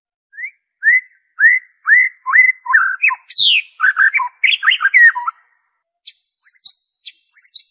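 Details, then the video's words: White-rumped shama in original song without imitated phrases, used to stimulate kept birds: a string of rising whistled notes about every half second, building into a dense varied burst, then sparse sharp high notes. "PANCINGAN SUARA MURAI BATU ORIGINAL TANPA ISIAN"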